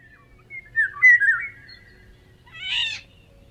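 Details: Eurasian Golden Oriole singing among thick green summer leaves: a short, pure, fluting whistled phrase sliding around a mid pitch, followed after a pause by a harsher, higher burst of notes; quiet background.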